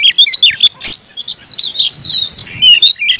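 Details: A caged Oriental magpie-robin delivering an aggressive fighting song: a harsh burst followed by long flowing whistled phrases that rise and fall, with quick chirps at the start.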